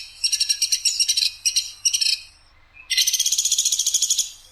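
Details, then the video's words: Woodpecker known as platuk sampit in a tutor recording with a clear, coarse, sharp voice: several short, stuttering bursts of high buzzy pulses, then a brief pause and one long, steady, rapidly pulsed rattle. "PLATUK SAMPIT/masteran PLATUK SAMPIT suara jernih nembak kasar dan tajam"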